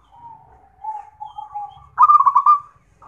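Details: Zebra dove song meant for therapy and tutoring other birds: soft low rolling purrs build into one loud, rapidly pulsed trilling coo near the end, with faint low rumble beneath.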